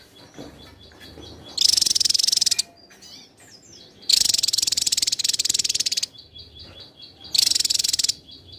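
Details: High, rapid pulsed trills from a Javan tesia come in three strong bursts about a second long, spaced roughly two and a half seconds apart, over a steady faint high whistle and soft background chips.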